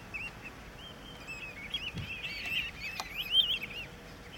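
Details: Several golden plovers, taking a shower at Da-Peng Bay, Pingtung County, Taiwan, on 4 December 2015, trade soft, plaintive whistles, short rising and falling notes overlapping in a steady chatter, with faint background hiss.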